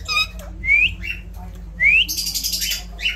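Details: Indian ringneck parrot speaking in a mix of rising whistled syllables and a long buzzy, harsh squawk between them, loud and close.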